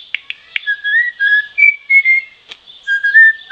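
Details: Troupial sounds: a few sharp clicks, then smooth whistled notes sliding up and down in short phrases.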